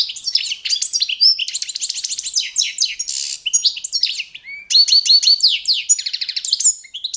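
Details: Carduelis carduelis balcanica, Balkan goldfinch, giving competition-standard song: dense, fast twittering with buzzy rattles and a rasping burst midway, then bright repeated chirps and thin whistles, with no other sounds.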